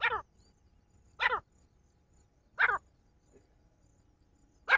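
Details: Calls of a male partridge: loud, brief, rasping harmonic notes repeated roughly every one and a half seconds, four in all, over a quiet background.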